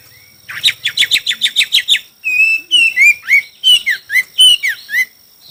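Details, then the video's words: Chinese hwamei during a song duel: a fast run of about a dozen buzzy repeated notes, then a long steady whistle and a string of loud descending slurred whistles. "Coob quaj sib thib(Hoạ mi hót đấu)"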